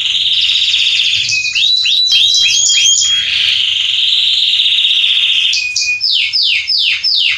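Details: Salsa Belgian canary male in full song for warming up canaries: dense high trills and looping tours, ending with a series of distinct downward-sweeping notes repeated about every third of a second.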